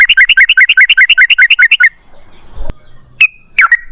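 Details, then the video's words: Yellow-vented bulbul singing a long rapid series of bubbly, warbling notes about seven per second, played as a lure to make other birds sing, followed by scattered single chirps and a soft knock. "TRUCUKAN GACOR Ropel Panjang Buat PANCINGAN TRUCUKAN Agar Bunyi"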